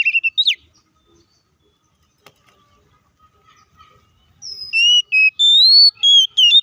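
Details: Oriental magpie-robin singing in fighting mode to provoke other birds: a brief opening of sharp falling whistles, near silence, then a run of long clear whistled notes stepping up and down.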